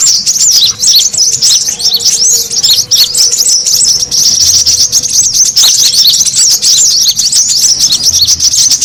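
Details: Brown-throated sunbird in a busy lure recording used to attract birds: constant high twittering and chipping notes densely overlapped, with a faint low hum underneath.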